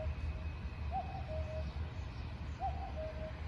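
A cuckoo gives two soft falling 'cuck-oo' calls, about 1.7 seconds apart, over a steady low rumble.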